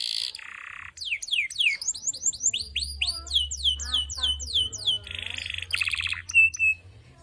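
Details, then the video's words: Canary, newly obtained and singing vigorously (gacor), delivers a varied, fast song of descending whistled sweeps, buzzy trills and short sharp chirps in quick succession, with a faint low hum underneath. "Dapat kenari, terpantau gacor…"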